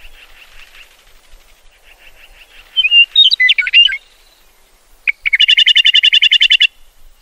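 A meadowlark gives a burst of sliding, slurred whistled notes, then a rapid buzzy chatter of about twenty notes, over a faint high trill.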